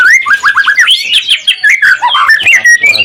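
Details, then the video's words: White-rumped shama song for goading other shamas to sing back: loud, dense run of varied whistles and slurred rising and falling notes, repeated short hooked phrases at the start. "Suara murai batu gacor AMPUH buat pancingan murai batu agar emosi LANGSUNG NYAUT"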